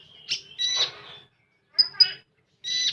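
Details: Common iora singing full tembakan style: a long slurred whistle breaking into a buzzy rasp, a pause, a pair of sharp high notes over a warbling buzz, then another drawn-out rasping phrase.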